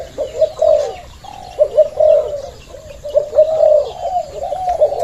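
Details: A male Spotted Dove, the father bird in a breeding cage, coos steadily: low, mellow, rolling phrases repeated about every second, each with a slightly rising then falling contour, with faint background rustle.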